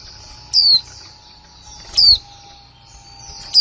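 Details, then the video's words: Female white-eye, a new hen from 2020, calling "kick mộc là líu": three crisp, high-pitched descending chips about one and a half seconds apart, a faint continuous hiss and low hum underneath. "khuyên mái kick mộc là líu , khuyên mái mới 2020"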